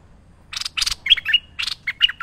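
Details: Energetic merbah lekir bulbul singing for a training recording: two scratchy buzzes open, then clear whistled notes and gurgling chirps in a quick sequence.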